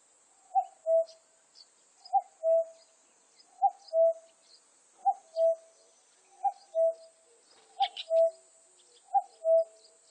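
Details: Cuckoo repeating its two-note cuck-oo, a higher short note dropping to a longer lower one, about every 1.4 seconds, eight times; faint high chirps of other birds and a steady high insect-like hiss behind.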